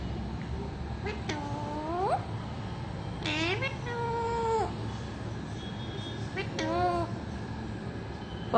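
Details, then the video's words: Talking parrot producing a series of tonal, harmonic calls, some sliding downward and others rising, spaced about a second apart, with a low steady background hum throughout. "Talking Parrot"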